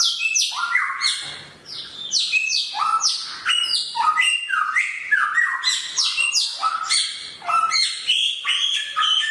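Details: Continuous sharp-voiced song of a samyong bird: a dense stream of loud, squawky, harmonic notes jumping between high and mid pitches, barely pausing.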